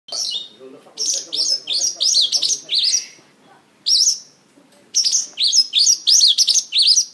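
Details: Mongolian lark singing and dancing on a stage: a rapid run of sharp, high chirps and twittering notes in dense bursts, with a short pause near the middle before the quick phrases resume.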